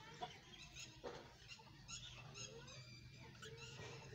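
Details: Pet budgerigars kept as a colony at home, with small chickens nearby, after the season changed, chatter in overlapping short bright warbles and chirps, about one a second, over a steady low hum.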